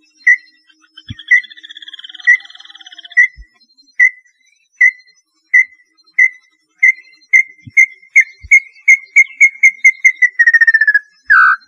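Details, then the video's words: Small-billed tinamou, known locally as lambu pé roxo, singing a series of clear whistled notes that start about a second apart and speed up steadily into a rapid run, ending in a falling trill; a faint buzzy trill sounds early on. "Canto Da Lambu Pé Roxo"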